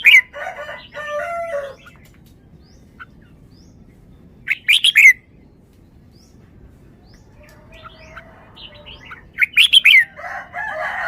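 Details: A caged red-whiskered bulbul performs its forest-style song, with two loud bursts of rapid whistled notes about five seconds apart. Roosters crow at the beginning and end, and faint chirps fill the gaps.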